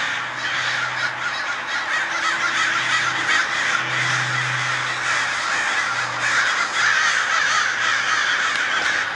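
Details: As day breaks, a massive swarm of crows dives and swirls overhead, cawing raucously and nonstop. A low droning hum runs beneath the thick layer of overlapping harsh calls.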